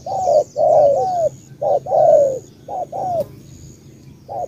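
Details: Spotted dove from Cà Mau gives loud double coos, a brief note and a longer, slightly wavering falling coo, spaced about a second apart. A faint click and thin high chirps are heard.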